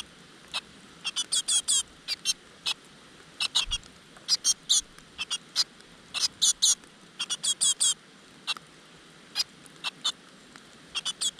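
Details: A nest of great tit young inside a rock crevice beg for the insects their mother brings, producing rapid, near-continuous runs of high, sharp chirps in dense irregular clusters.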